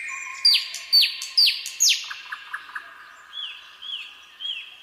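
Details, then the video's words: A common nightingale in a calm spring pine wood, 2024, gives four loud, sharp down-slurred notes about half a second apart, a few dry clicks, then three soft, rising-and-falling whistles. "пение соловья в тихом весеннем лесу"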